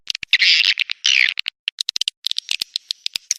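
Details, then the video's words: Lure sound of swiftlets in breeding mood, meant to attract them: two harsh buzzy bursts, then scattered sharp clicks and brief chirps. "suara responya mantab memikat burung walet"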